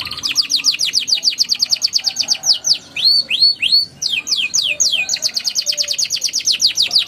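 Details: Canary song played to prompt young canaries to sing: fast rolling trills of rapid descending high notes, broken midway by a few slower rising whistled upsweeps, then resuming a rapid steady trill.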